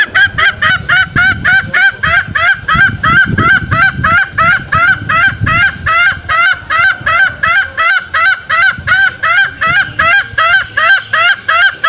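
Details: Green junglefowl call played as a trapping lure to draw males out in the forest: a steady series of loud, nasal, harmonic honks, almost three per second, evenly spaced, with faint low background noise.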